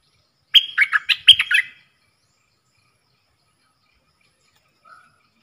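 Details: Red-whiskered bulbul kept in a cage, singing dok taeng phrases in a duel with wild birds, Thailand, 3 October 2021: a short, lively burst of sharp whistled notes, then long quiet and one faint distant note.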